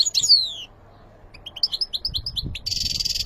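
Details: European goldfinch singing: a falling slurred whistle, then a rapid series of rising chirped notes, ending in a grating buzzy trill.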